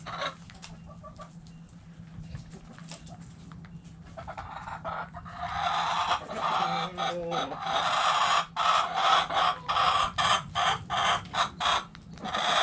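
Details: Backyard hens in a coop: faint scattered clucks at first, then a busy stretch of loud, harsh, evenly spaced squawking clucks from several birds, over a low hum.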